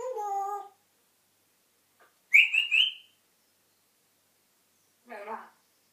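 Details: An African grey parrot talking and whistling. It opens with a low, voice-like harmonic phrase, then gives a sharp, bright whistled burst that rises slightly, and ends with a short, rough, speech-like sound after a pause.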